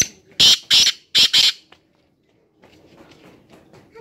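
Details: Harsh, rasping call of a black francolin: four loud grating notes in two close pairs, followed by a quieter stretch with faint murmuring.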